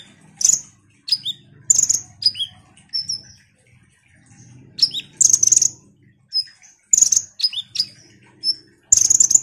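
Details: Ruby-cheeked sunbird singing actively, used to spur other birds to sing: sharp high chirps and quick downward-slurred notes in short bursts, some short thin whistles, with pauses between phrases and a faint low hum beneath.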